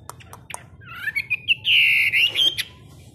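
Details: Caged Chinese hwamei kept for hard-rack (giàn cứng) play, in a daily 15-minute morning singing session; a few sharp clicks lead into a bright whistled phrase that climbs and then holds as a warbling, sustained note before breaking off.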